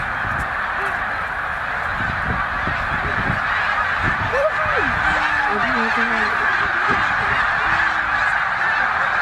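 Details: Roughly 100,000 snow geese gathered at Middle Creek Wildlife Refuge during their northward spring migration; a continuous roaring wall of honking, with a few clearer yelping calls rising and falling near the middle.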